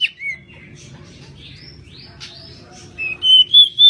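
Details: Pied bushchat, also called kacer mini, in a tutor recording: a faint opening note, a mostly quiet stretch with soft high slurs, then three clear whistled notes in quick succession at the end.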